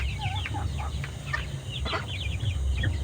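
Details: One-month-old farm chicks, each weighing about 500 g, raised in a flock: dense overlapping high, short, downward-sliding peeps crowd together from many birds over a steady low mechanical hum.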